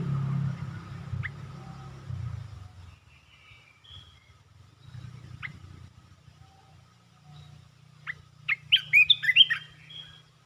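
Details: Caged red-whiskered bulbul with rapid song phrases: scattered single sharp notes over low rumbling background noise, building to a quick cluster of loud, tumbling chirps near the end.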